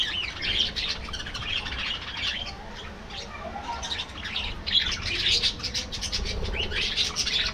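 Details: Aviary budgerigars feeding in the afternoon produce loud, dense scratchy chattering and squawky chirps in overlapping bursts, with a faint murmur of lower sound beneath.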